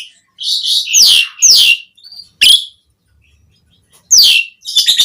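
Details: Asian pied starling (jalak suren) 'gacor' song for training caged starlings: loud downslurred squealing whistles in a string of bursts, a harsh click, a gap, then more squeals and quick chips.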